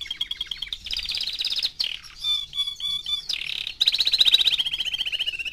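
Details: Canary aged four months singing varied phrases: soft trills, a few clear whistled notes in sequence, then a loud fast descending trill.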